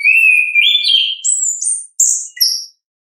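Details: Orange-headed thrush, natural ngeplong singing: a long, steady whistle that steps upward through higher slurred notes, ending in two short high chips.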